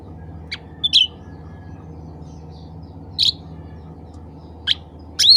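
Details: A black-capped bulbul calls to others of its kind with scattered short chips and a few clear whistles, ending on a rising whistled note; constant low hum behind.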